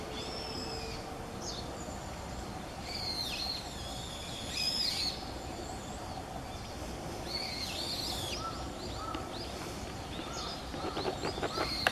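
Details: A Brown-eared Bulbul recorded in the morning on 7 November 2016 gives loud, shrill, squealing calls in scattered bursts, the strongest near the middle, over a steady background hum.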